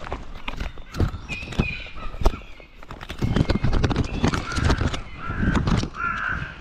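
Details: Gulls feeding, seen from ground level, give harsh, drawn-out harmonic calls, some rising and some falling, scattered through the clip. Heavy low thumps and knocks sound near the recorder throughout.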